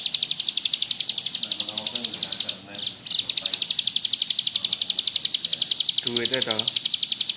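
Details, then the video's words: Bar-winged prinia (ciblek gunung) in lively ngebrem song for masteran: a high, rapid, evenly pulsed buzzy trill with a momentary break, while people talk quietly in the background. "Burung ciblek gunung gacor ngebrem cocok buat masteran"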